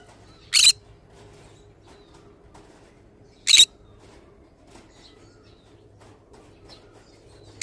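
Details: Pet green-cheeked conure of the pineapple colour repeating brief, grating screeches roughly every three seconds, three in all, with quiet room hum in the gaps.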